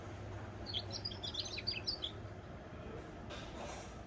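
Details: Brief, soft twittering phrase from a goldfinch × canary cross, a cluster of high chirps over about a second and a half, then a short rustling noise.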